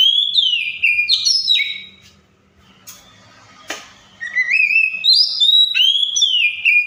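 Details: Oriental magpie-robin singing in a wild-like style, imitating other birds' sounds: loud, varied whistled phrases with sliding and rising notes, two bursts split by a quiet pause and a sharp click, with faint low hum beneath.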